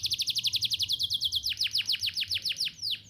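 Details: Canary singing to prompt young canaries to learn, a rapid rattling trill of high, steeply falling notes about seven a second, then slower, longer downward sweeps, with a faint low hum behind.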